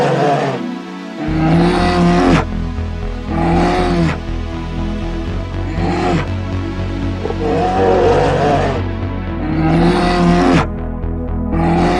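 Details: Loud music with steady sustained tones and rhythmic swells, possibly with an engine-like rumble; no animal calls are heard.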